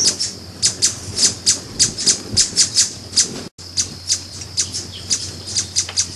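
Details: High, thin chipping from a Brazilian ruby, short sharp notes repeated steadily several times per second, briefly broken by a moment of silence, over a faint low hum.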